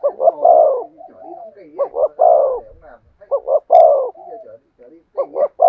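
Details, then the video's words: Deep, resonant spotted dove coos in the thổ sấm voice style. Clipped double notes run into drawn-out hollow coos, linked by quieter murmuring notes, with a faint low rumble in the background. "cu gáy thúc gù giọng THỔ SẤM chuẩn nhất/ the cuckoo sings beautifully"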